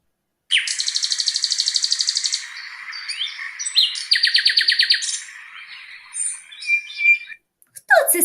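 A nightingale sings a rich, varied song: rapid runs of repeated notes, then sharp whistles and clicks, with a second fast rattling trill midway. A voice starts at the very end.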